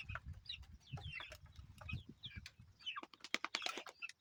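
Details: Chicks peeping amid clatter: high, quick chirps from several baby chickens mixed with sharp taps, clicks and low thudding, growing busier toward the end.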